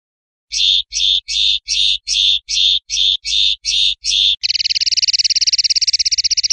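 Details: Common linnet singing a row of about ten rough, buzzy notes at a steady beat, followed by a long, fast, shimmering trill.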